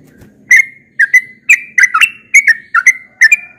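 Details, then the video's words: Morning-singing yellow-vented bulbul gives chirpy, liquid whistled notes in small clusters about every half second, some slurred downward, after a short stretch of faint low murmuring at the start. "Burung trucukan yang sering berkicau di pagi hari"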